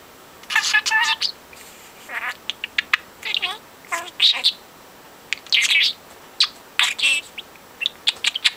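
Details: Four-month-old pet budgie, taught a few words but mostly copying conversations he has overheard, babbling in fast, irregular clusters of harsh clicks, buzzes and sharp chirps, separated by short quiet breaks.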